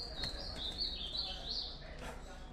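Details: Ultramarine grosbeak singing a short warbled phrase of high whistled notes that dip and rise for under two seconds, over a low rumbling background with faint voices.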